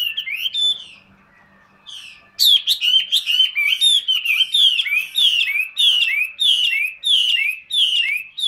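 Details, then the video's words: Caged hwamei of the large, handsome 'tam hoàng' type, a heavy singer: after a short opening phrase and a pause, it launches into a fast run of loud, sweet whistled notes. Each one slurs downward, repeated over and over in rapid succession. "HM 227 tam hoàng bộ to đẹp hót rất nhiều"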